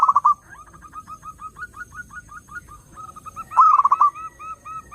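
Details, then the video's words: Zebra dove song recorded for luring other doves: a loud rolling trill of rapid coos opens, then a steady run of soft, short mid-pitched coos, and a second loud trill burst arrives near the end. "SUARA BURUNG PERKUTUT _JERNIH_💯AMPUH_SEKALI PUTAR SEMUA PERKUTUT LANGSUNG NYAMBER"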